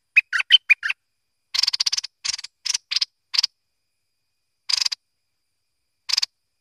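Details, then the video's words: Bulbul, called merbah lekir or kuning, opens with a few quick whistled chirps, then gives a series of spaced, harsh, buzzy rasping bursts that thin out toward the end. "lekir org memang padu!!"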